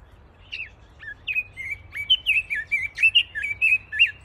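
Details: Pekin robin, or red-billed leiothrix, delivering a steady, rapid string of slurred whistles, each rising and falling, about a dozen notes in four seconds against a quiet background.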